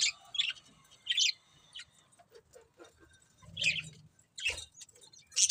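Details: Pet budgerigars giving sharp, high chirps in short separated bursts, with quieter squeaky notes in between and a soft low rumble near the middle.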